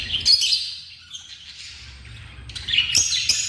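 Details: African lovebirds uttering rasping, squeaky shrieks: a burst at the start, softer chatter in the middle, then a louder cluster of two or three harsh screeches.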